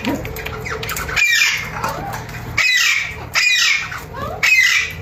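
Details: Pet Alexandrine parakeets, new to their home, uttering loud grating screeches roughly once a second, each a harsh descending squawk, with a steady low hum underneath.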